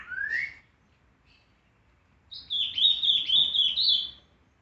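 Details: A Green-winged Saltator sings a trinca-ferro "boiadeiro" style song: a rising whistle, then a rich, warbled phrase of clear notes.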